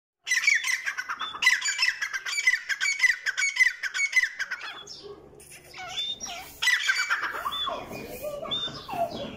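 Grey francolin giving loud, harsh, rapidly repeated squawking notes in bursts, fading briefly before a fresh, strident series starts up again.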